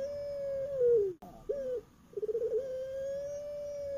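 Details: Captive collared dove of the Javanese puter pelung type calling at night: a held coo falls away, a brief gurgled hiccup follows, then a quick rattling pulse builds into another long, even, sustained tone.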